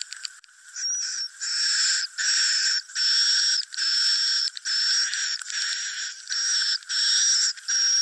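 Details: Swiftlet roosting lure sound: dense buzzy chattering calls in bursts of about half a second to a second, separated by brief gaps, with a thin whistled tone running through each burst.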